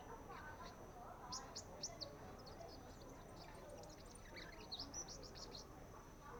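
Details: Baby sunbirds practising their song give thin, high chirps and quick twittering notes in two short bursts, over a steady high whine and a low background murmur.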